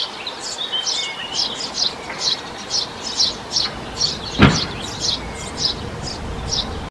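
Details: Eurasian tree sparrow during nesting, with nestlings, giving a quick run of short, high chirps, about two or three a second, with a single sharp knock midway and faint background hum.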